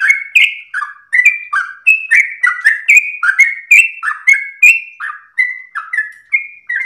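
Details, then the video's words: Long-winded, melodious ropel singing of a yellow-vented bulbul, used to train and provoke other birds: a steady run of about seventeen short whistled slurs alternating higher and lower, each topped by a thin high click. "trucukan gacor lagu MERDU ropel nafas panjang"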